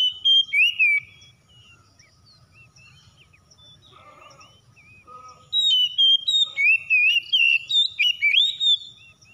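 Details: Oriental magpie-robin (kacer) kept at home sings steadily to spur others: a burst of varied whistles, a quiet stretch with faint low murmurs, then a long run of bright, warbling, slurred whistles about three per second.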